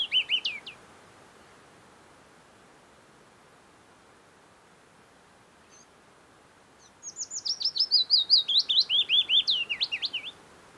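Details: Singing Willow Warbler near Geilo, Buskerud County, Norway, in early summer; a brief song fragment at the start, a long quiet gap, then a full descending strophe of sweet whistled notes about three seconds long.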